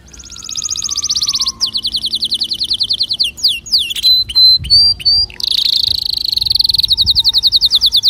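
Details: Canary singing to stimulate other birds: a run of rapid high trills, quick sweeping notes, a few clear whistles, a sustained rolling tour, and a closing fast trill.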